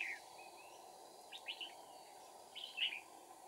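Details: Short bright warbled bursts from a red-whiskered bulbul decoy, sung while a wild bulbul is being trapped at Kim Bôi with two decoys, 2/4/2019; phrases come in three separated clusters over a hissy background.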